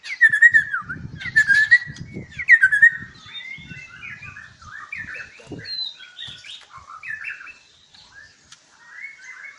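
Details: White-rumped shama kept at a breeding farm in Palembang, three loud chattering bursts at the start, then softer scattered whistles and short warbled notes, with low rumbling background noise.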